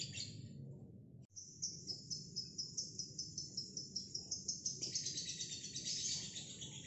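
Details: Single female fighter lovebird giving a long ngekek: a high, shrill chattering trill of rapid pulses, briefly cut off near the start, then running unbroken and growing louder, with a steady low hum beneath.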